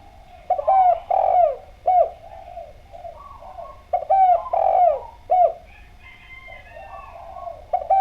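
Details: Clear-voiced Javanese spotted dove (derkuku Djawa) singing steadily as a lure to draw other doves into calling: two full coo phrases of short notes and a longer sliding croon, with a brief higher twittering from another bird between them.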